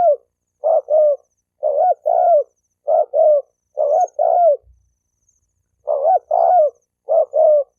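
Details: Low mellow coos of a spotted dove, meant to goad males and females into fighting; several quick two-note phrases, second note longer and slurring downward, with one short gap and a faint low thump.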